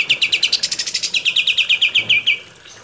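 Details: Kapas tembak trilling, taken from a recording for training captive birds: about two and a half seconds of rapid, loud, high chipping notes that slowly slide lower toward the end.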